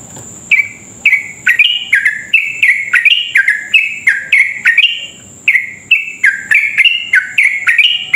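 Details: Long unbroken rapid-fire song of a lively yellow-vented bulbul, meant to prompt other bulbuls to sing fast. Dense chains of ringing, falling chirps run almost nonstop over a constant thin high-pitched whine.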